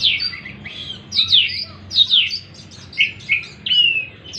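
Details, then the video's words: Lure song of an Oriental magpie-robin, played to get a stressed, silent bird singing again: bright, sweeping whistled notes in rich bursts, repeated roughly every half second to second, clear over faint low hum. "pancingan kacer stres macet bunyi"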